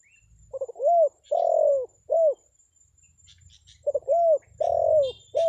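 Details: Spotted dove lure call, given to draw responses from wild birds, repeated twice: stuttered notes, an arched coo, a long coo and a short coo, with faint high bird chirps between phrases.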